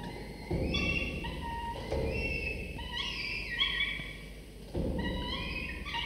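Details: Two sleepy falcon chicks, 24 to 25 days old, beg at the nest during the father's morning prey delivery; repeated stretched whining cries in short bursts, with thumps and rustling between them.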